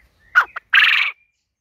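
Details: A male tuxedo quail in a garden with hens gives one burry crow, about a second long, in three parts: a sharp note, a tiny pip, then a longer buzzy rattle.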